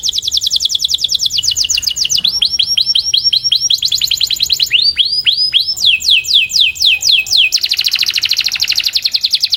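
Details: Canary singing a 'puxada' training song to polish the song: successive tours of rapid trills and slower downward-slurred whistles, changing pattern every one to two seconds and ending in a dense high roll.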